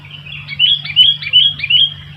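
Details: Sooty-headed bulbul in lively song as wild bulbuls grow noisy nearby: a running sequence of warbled, slurred whistles rising and falling in short bouts, over a steady low electrical hum.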